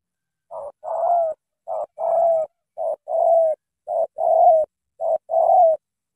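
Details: Spotted dove from Cà Mau, Vietnam, noted for its strong voice, repeating five two-part coos in steady rhythm, a brief note then a long, slightly falling hollow coo, roughly once per second, with a quiet background.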